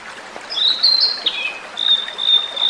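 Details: Wild Blue-and-white Flycatcher, whose song resembles a flute: a drawn-out high whistle sliding down at the end, a short pause, then another long steady whistled tone, with light background noise.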